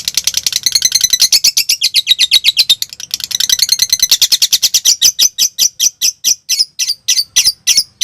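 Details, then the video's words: Lovebird singing konslet to trigger other lovebirds. A dense, scratchy chatter of quick high notes slows after a few seconds into separate, sharp chips spaced about a third of a second apart. "Masteran Suara Lovebirds Konslet"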